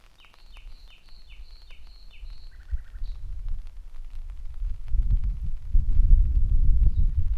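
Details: Common nightingale singing in rain at Dortmund-Aplerbeck, Germany, 11 May 2021: a fast series of repeated sliding whistles and a brief low rattle in the first three seconds, then rising rumbling rain and wind noise.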